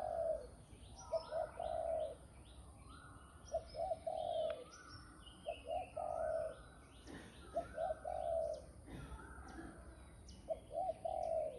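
Spotted Dove giving soft, low, hoarse coos in short two- to three-note phrases, repeated every couple of seconds, with thin, high chirps of other small birds behind.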